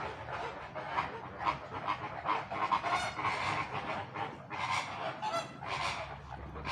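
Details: Flamingo calls: short nasal honks repeated through the recording, with bursts of broad rushing noise near the end.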